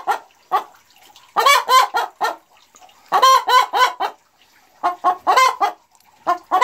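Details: A Boris Brown hen cackles after laying her first-ever egg, 4 December 2016: loud, harsh bursts of four or five clucks, repeated roughly every one and a half seconds.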